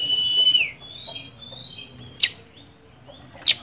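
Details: Oriental magpie-robin (kacer) song used as a lure to provoke a rival bird: a long sliding whistle, short high whistled notes, and two sharp clipped chips, with a faint low hum behind.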